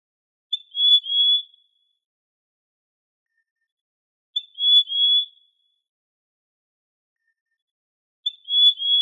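Trinidad euphonia giving a short, high, slightly buzzy two-part whistle, repeated about every four seconds against a silent background.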